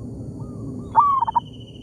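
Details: Local wild zebra dove in an oil palm plantation, calling back and forth with a decoy bird: a soft cooing note slides into three quick pulsed coos in under half a second, over steady low rumbling background noise.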